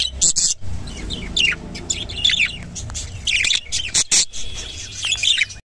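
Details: Rainbow budgerigar warbling: quick thin chirps, squeaks and squawky notes strung together, with brief silences and a low background hum.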